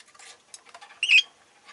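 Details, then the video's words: A group of pet rosy-faced lovebirds: one short, harsh squawk amid soft fluttering and rustling noises. "この日はみんな割とよく鳴いてました【Lovebird Chirping Sounds"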